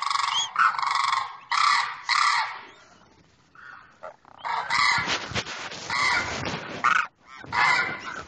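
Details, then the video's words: Male demoiselle crane calling to a female while the pair stand apart: grating, trumpeting honks in several separate bursts, a quieter stretch midway, then more rough calls with a scratchy, noisy background. "demoiselle crane sound mp3"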